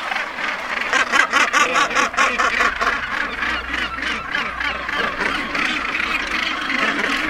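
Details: Northern gannets at their nesting colony on Bass Rock, Scotland, the world's largest at over 150,000 birds: a dense chorus of harsh, grating calls overlapping in rapid, uneven bursts over a low rumble of wind.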